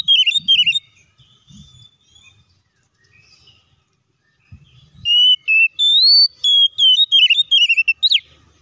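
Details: Oriental magpie-robin song meant to trigger other magpie-robins to sing: after a brief whistled start and a quiet stretch with low thumps, a run of loud clear stepped whistles and warbles.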